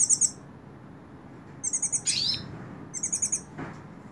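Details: Sung from a person's hand, a Hooded siskin gives short groups of very high, clipped repeated notes separated by pauses, with a brief buzzy downward-sliding note between groups.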